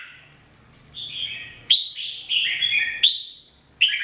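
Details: Jambul, the red-whiskered bulbul, sings a training song: a soft warble, then loud clipped whistles with quick downward slurs, several in close succession and a final sharp note.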